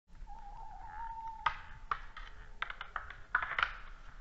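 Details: A male tawny owl in Estonia, at 22:45 on 19 January 2016, gives one long, steady, slightly rising hoot lasting over a second, followed by a run of sharp knocks and clatters.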